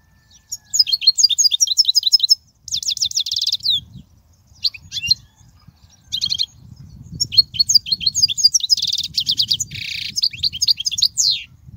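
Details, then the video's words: European goldfinch song played to teach young goldfinches: high, tinkling twittered phrases with fast trills and buzzy bursts, broken by short pauses, over a faint low rumble. "تغريد الحسون"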